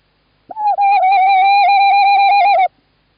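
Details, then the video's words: Male tawny owl in Estonia, 11 March 2017, calls while the female is in the nest box: a long, steady, slightly trembling tonal note with strong overtones, about two seconds, against silence. "Tawny Owl 2017 03 11 Klaus call"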